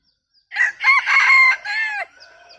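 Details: Laughter-like crowing from a bantam rooster used as a decoy chicken: a stuttering opening burst, a long sustained middle phrase, then a falling final note, with faint trailing sounds afterwards.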